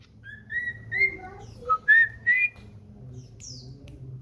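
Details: House-kept common iora gives a few clear whistled notes, rising and then falling, with a quick double note in the middle and a faint high descending chirp afterward.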